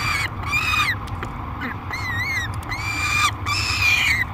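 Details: Peregrine falcon at the Great Spirit Bluff nest box in July 2021 screaming during feeding: drawn-out, wavering harsh wails, about four in four seconds, some sliding downward at the end, over a low mechanical hum.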